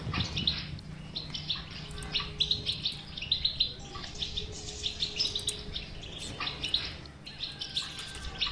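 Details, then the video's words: European goldfinch batbata for coaxing a silent goldfinch into song: fast, uneven series of bright chirps and short twitters throughout, with a faint low hum and tonal background. "اذا لديك مشكله في حسونك انو لا يغرد لا تخاف هذه البتبته الحل وعلاج الحسون الصامت بتبته"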